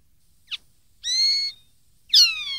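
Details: Common linnet singing on a 2013 recording meant for young linnets to copy: a short flick note followed by two clear whistles, the second sliding downward.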